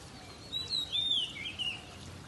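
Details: Magpie-robin singing on a rainy morning, described as a mating call: a few clear, high whistled phrases, the first with a short rising-falling note and the last drawn out and slurred, over a steady hiss of rain.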